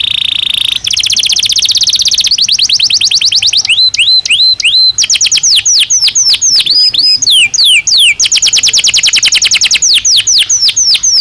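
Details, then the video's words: Belgian canary singing naturally, a recording for daily stimulation and training of caged canaries; loud continuous song of fast trills, one held tone, then rapid repeated downward-sweeping notes and upslurred whistles in quick series. "Som de 1 Hora com Canario Belga Cantando Naturalmente"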